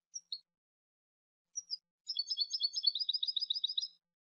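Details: A goldfinch gives a few thin, separate high notes, then bursts into a long, fast, tinkling trill of closely repeated two-pitched notes lasting nearly two seconds.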